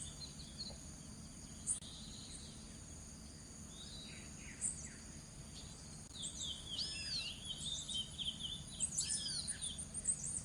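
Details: Seedeater, locally called coleiro do norte, feeding on seeds; faint, high, thin chirps and short twittering notes, scattered at first and then thicker near the end, over steady insect buzzing and low background rumble.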